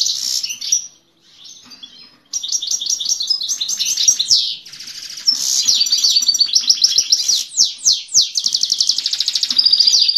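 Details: Himalayan goldfinch singing to a female: a long, rapid high-pitched warble of twittering notes, trills and buzzy phrases, with a short quiet gap near the start, then dense chattering runs to the end.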